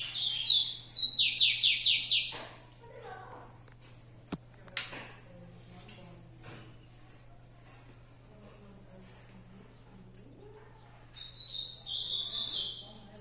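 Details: ['Fibrado rufous-collared sparrow: a loud burst of quickly repeated descending notes opens, followed by quiet gaps with a lone whistle, then a softer phrase of falling whistled notes near the end; steady low hum throughout.']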